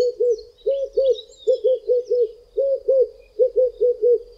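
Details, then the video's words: Two red-eyed doves in South Africa sing from the tops of two tall trees on a hot day, at times together, giving deep, arched coos in quick groups of two to four, phrased "I am... a red-eyed dove"; faint high chirps behind. "RED-EYED DOVE singing "I am ... a red-eyed dove""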